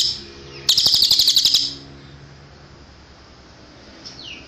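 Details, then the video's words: Cililin tutor song for caged birds: one loud second of fast, buzzy, pulsed trilling at high pitch, set between quiet stretches. A faint, thin, descending whistle comes near the end. "MASTERAN CILILIN suara asli jernih"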